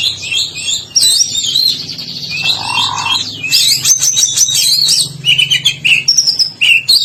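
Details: White-rumped shama from Medan, a lively singer with an odd, unusual song: dense high warbled phrases and sharp chirps, a lower rolling whistle near the middle, then clipped repeated notes toward the end over a faint low hum.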